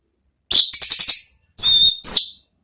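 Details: Orange-headed thrush in ngeplong style, a therapy song to draw replies from other thrushes: a rapid series of six harsh, bright, ringing notes, then two longer, strained whistled phrases with piercing high overtones.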